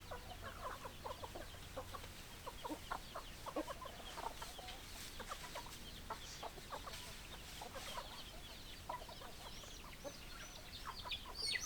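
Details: Chickens, a flock of hens with roosters: dense, overlapping short clucks and chatter from many birds at once, sounding continuously throughout, with a steady low background rumble and a brief higher squawk near the end.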